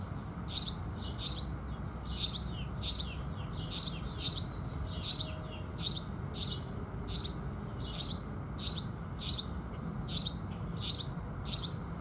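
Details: Morning chorus of house sparrows at sunrise, a steady run of sharp, high chirps repeated about every half second, evenly paced, over a low constant hum.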